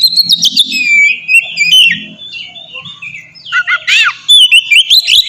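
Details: Ngeplong-style song of an oriental magpie-robin, used as a lure to spur other birds into full song. Sweet whistled phrases slur and glide, then break into scratchy, rapid chattering notes near the end. The sweet whistling returns before the clip closes.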